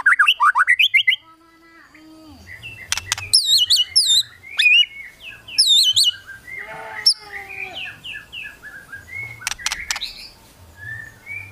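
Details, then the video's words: White-rumped shama singing to provoke rivals: varied rich whistles, slurred upward and downward notes, and sharp clicks in a fast, changing sequence with brief pauses. "KRETEKAN MURAI BATU MEMANCING EMOSI, BIKIN LAWAN CEPAT GACOR EMOSI"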